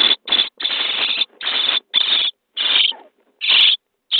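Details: Starling nestlings begging in a nest box during feeding on day 23: long, continuous harsh screeching bursts, several running nearly together, noisy and intense, separated by brief pauses.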